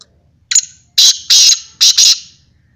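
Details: Kala teetar, the black francolin, calling loudly: one short opening note, then a sequence of grating, buzzy high phrases ending in a double burst, with a soft low hum in the background.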